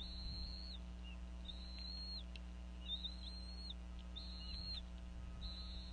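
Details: At a Northeast Florida nest around 4:40 pm, a female bald eagle vocalizes over a fish during feeding of the eaglets, giving drawn-out piercing whistles in irregular groups, plus short lower chips, over a droning hum.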